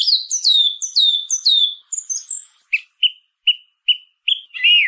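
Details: Song thrush song: a descending, slurred high phrase repeated four times in a row, a thin high squeak, then a short note repeated five times at steady intervals, ending in a warbled flourish.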